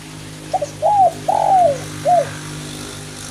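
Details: Spotted dove in kuk 1 song style singing through light rain: one four-part phrase of soft hooting coos. A quick doubled note leads into an arched coo, a long drawn falling coo and a short closing coo, over a low droning hum.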